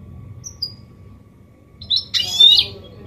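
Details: A goldfinch mule (hybrid), a song model for training males and chicks, gives a few high thin whistles, then a burst of bright, buzzy twittering with a clear sharp note; low hum underneath.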